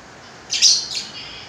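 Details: Yellow-beaked lory uttering a high, thin, shrill screech in two bursts, the first stronger and the second softer, with quiet hiss around it.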